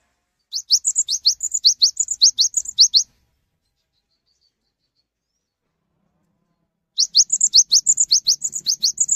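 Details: Cinereous tit sings two bursts of fast, high, sharp repeated notes, each a few seconds long, separated by a pause, prompting other cinereous tits to join in; faint low hum under the second.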